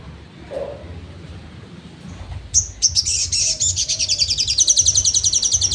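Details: Trotol song of a crimson sunbird (sogon), meant as training material for songbirds: after quiet, a sharp high note launches a fast, steady trill of shrill repeated notes that builds in loudness over three seconds, over low background rumble.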